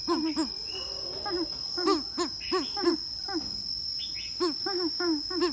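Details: Greater coucal giving its courtship call toward a female: a series of deep, booming hoots in loose clusters of two or three, with brief higher chirps from other birds and a constant thin high whine behind.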